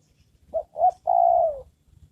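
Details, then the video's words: Spotted dove, a trained decoy bird used for luring wild doves, calling: two short low coos followed by one longer, steady coo that slides slightly downward at the end. "Mikat burung tekukur"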